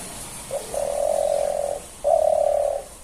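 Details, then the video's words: A pigeon inside a house gives two low, steady hums, each lasting about a second, the first opening with a brief note, over a faint indoor hiss. "Pigeon making sound"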